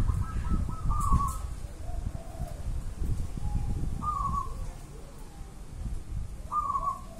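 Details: Zebra dove of local Javanese wild stock cooing: a few short trilled coo phrases spaced several seconds apart, partly masked by heavy low rumbling background noise.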